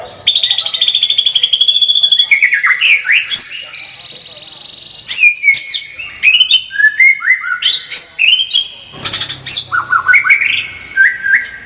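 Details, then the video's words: White-rumped shama in full lively song with many bursts: rapid high trills alternating with loud, varied whistled phrases of falling and rising slurs, several sharp clicks between phrases. "kicau murai batu gacor full tembakan"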